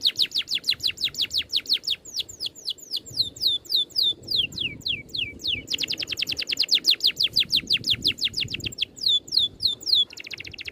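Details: Oriental magpie-robin 'ngerol' tutor song, dense and neat: long runs of quick high falling whistles alternating with denser, faster rolling stretches of short notes, steady and loud throughout.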